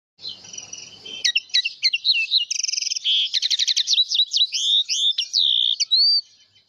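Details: House finch singing a lively warbled song: steady high notes, then quick slurred chirps, a fast buzzy trill and looping whistled phrases ending on a clear upslurred note. Faint low rumble at the start.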